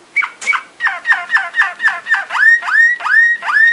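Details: Belgian Waterslager canary training song: a series of about thirteen separate notes roughly four per second, early ones dropping steeply, later ones swooping down then rising into clear whistles.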